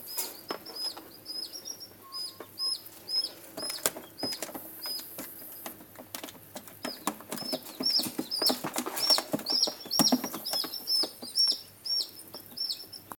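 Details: Peeping of white greater rhea chicks, 11 days and 1 day old: thin, high, slightly falling whistled notes in a steady series about twice a second, with scratching and rustling sounds and clicks in the background.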